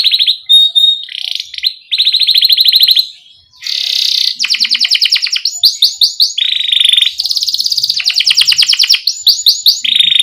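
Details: Lively canary song with short pauses, played to get young canaries singing: alternating buzzy rolling trills, a brief whistle, fast rising chirp series, and rattling high phrases.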